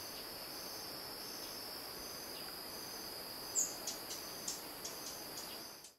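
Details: Collared sunbird (Hedydipna collaris garguensis) in Nyungwe Forest National Park, Rwanda, March 2013, giving a short run of sharp, very high chips, two or three a second, over a steady high-pitched insect drone.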